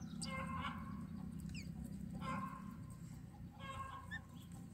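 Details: Young mynas in a nest being fed by their mother utter harsh, harmonic clucking calls in three bursts, about one every two seconds, with faint chirps between over low background noise.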